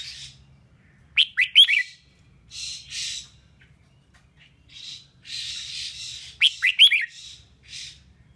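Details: Red-whiskered bulbul female singing to provoke males. Rapid clear chirp triplets alternate with broad, harsh rasping bursts, and the chirp-and-rasp pattern repeats twice over faint low background hum.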